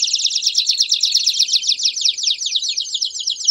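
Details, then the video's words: Group of Belgian canaries singing in chorus to stimulate singing, with a fast, even, high trill of bright repeated notes running throughout. "Vários Canários Cantando Junto Estimule seu Canário Belga a Cantar Muito!!!"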